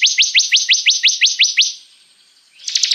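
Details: Bar-winged prinia (Prinia familiaris) song: a fast run of about nine sharp, rising high notes, roughly six per second, then a brief pause and another quick burst; used as a training recording for other songbirds.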